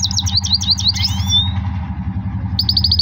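A goldfinch sings a quick, tinkling run of high twittered notes, slurs downward, then resumes with a rapid chattering burst over a steady low hum.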